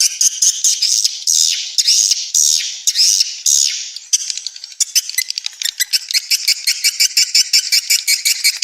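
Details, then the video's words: Swiftlet lure sound meant to draw young swiftlets into a new nesting building: high, shrill twittering chirps in dense bursts, then a fast run of sharp ticking clicks repeated nearly twice a second. "suara walet terbaru 2021"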